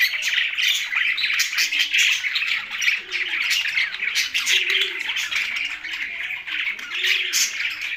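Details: Budgies kept together with parrots in Larkana, Sindh, chattering with continuous high twitters and scratchy chirps, while several low, rounded cooing notes sound in the background.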